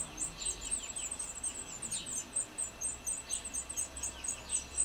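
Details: Black redstarts feeding their young in Lipník nad Bečvou, Czech Republic: dense, continuous high-pitched squeaking and thin chirps in rapid overlapping runs, with lower quick tweets woven through and a faint background hiss.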